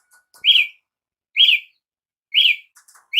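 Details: Three loud, ringing up-and-down chirps from a Brazilian tanager (tiê-sangue) about a second apart, with faint softer twitters between them.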